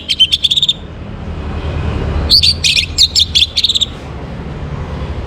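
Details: Orange-headed thrush singing in the morning, meant to bring birds into breeding condition. A brief stuttering phrase is followed by a longer, varied burst of high, sharp whistles and chatter, then low hum.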